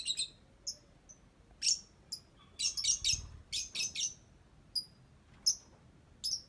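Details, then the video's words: Pet lovebird giving ngetik-style calls: short, very high, sharp chirps and squeaky bursts, some in quick clusters of two or three, separated by brief silences. "Love Bird Cantik Pinter Ngetik"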